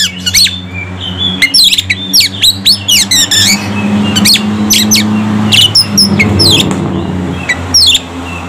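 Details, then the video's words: Agitated Oriental magpie-robin song, provoked to sing: a rapid run of sharp, sweeping whistles and harsh squawky notes that continues in irregular bursts throughout, with a constant low hum and rumble behind. "KACER FULL MATERI BIKIN EMOSI"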